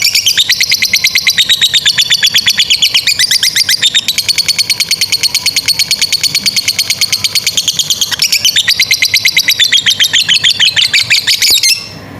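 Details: Fighter lovebird giving a long 'ngekek' chattering song, used as a master recording to train young and stalled lovebirds; a continuous rapid run of high, buzzy chatter notes for about eleven seconds, shifting pitch a few times before stopping abruptly.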